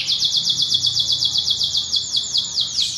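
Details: White canary in full, energetic song: a rapid trill of high, downslurred notes repeated about eight times a second, ending with a dip to a lower phrase.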